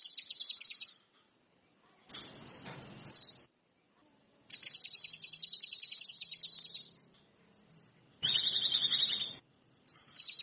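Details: Wild orange-headed thrush (cucak kinoi / ranti mas) in full song: quick strings of high, clipped notes repeated several times a second, broken by bursts of rough hissing noise, with some layered, slurred phrases near the end.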